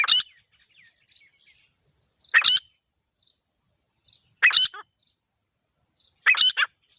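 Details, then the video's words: Male and female grey francolin calling: four harsh, buzzy squawks spaced roughly two seconds apart, each followed by faint, softer chirps. "Nar aur mada teetar ki full masti wali awaz|Grey Partridge Male Female Sound | Female Teetar Awaz"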